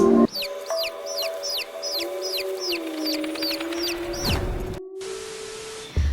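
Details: Chicks peep at night in a steady run of high, sharply falling notes, about two or three per second, over a low droning musical tone; such night peeping is locally believed to be an omen.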